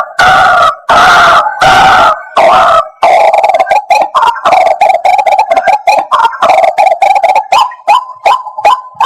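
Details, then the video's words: White-breasted waterhen calling, played to draw birds into traps: three long, grating, drawn-out blasts followed by a rapid, uneven stutter of short croaking notes lasting several seconds. "Jal Murgi Ki Sound |Jal Murgi Call Voice | Ban Murgi Ki Awaaz"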